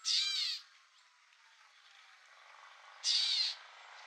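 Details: A Gray Catbird at Newman Lake, Washington, USA, in the Northern Rockies ecoregion, gives two harsh, nasal, cat-like calls about three seconds apart, each roughly half a second long, over a faint background hiss.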